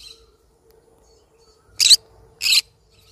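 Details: Yellow-sided conure parrot giving two short, harsh, raspy screeches about half a second apart after a quiet stretch, with a faint steady low hum underneath.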